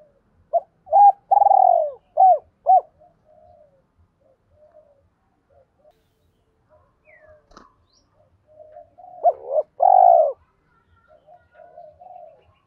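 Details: Spotted dove lure coo meant to make wild males reply: a run of short loud coos and one long rolled note, a quiet stretch with faint murmurs and a single click, then another loud pulsed coo with soft trailing notes.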